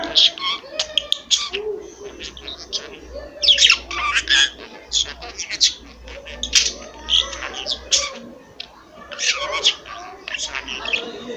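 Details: Household pet budgerigar that speaks clearly, mimicking several words; a long run of fast, raspy, speech-like chatter with clicks and squeaks, broken by short pauses, in a small room.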